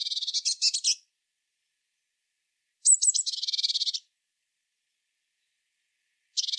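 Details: Eurasian blue tit singing: two bursts of rapid, high buzzy trills about a second long, separated by silence, with a further trill starting at the end; no other sounds.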